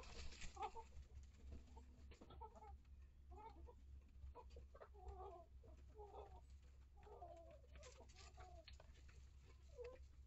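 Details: Chickens in a coop and run, mature hens with newer chicks: a steady series of rough, rapid clucks and murmurs throughout, over a constant low hum.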